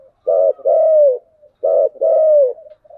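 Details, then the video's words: Spotted dove with the 'giọng đồng' voice giving two cooing phrases. Each opens with a brief rough, stuttered note, then a drawn-out smooth coo that sinks at the end. There is a pause between phrases and no other sounds. "Cu gáy giọng đồng"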